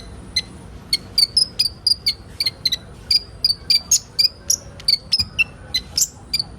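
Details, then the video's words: Sunbird (kolibri ninja) song for training young birds to start singing: a steady run of sharp, very high chip notes repeated roughly four times a second, some slurred upward, with low hum behind. "Burung kolibri ninja bahan ombyokan cepat gacor"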